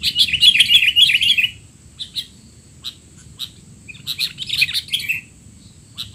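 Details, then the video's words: Sooty-headed bulbul noisy call sequence for training young bulbuls: a rapid rattling series of chirps opens, then scattered single chips, and a second busy chattering burst later. "burung kutilang teler!! suara ribut paling cocok untuk kutilang bahan"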